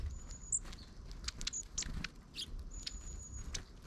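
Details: Long-tailed tits in a flock that includes one short-tailed individual, recorded on 31 December 2022: thin, very high drawn-out whistled notes early and late, with a few short high chips between, over a low background rumble.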